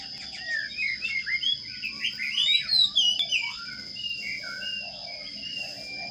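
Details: Begging sparrow chicks being fed inside a nest box, giving a rush of shrill, rising squeaks and chirps that fade into softer drawn-out notes, with a steady high tone and low background rumble.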